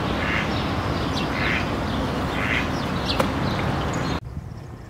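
Mallard giving a few soft nasal quacks about a second apart over steady low background noise, ending abruptly.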